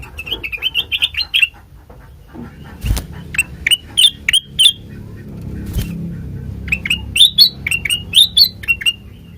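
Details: Sooty-headed bulbul song used to lure untrained birds into answering: a rapid chirping burst, a pause broken by a couple of thumps, then spaced bright chirps building into a lively, repeated run of rising notes.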